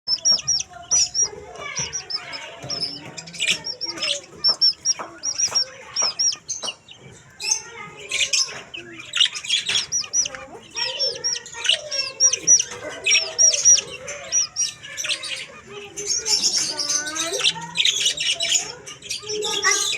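Budgerigars chatter together in a busy flock of high chirps, warbles and rapid twittering.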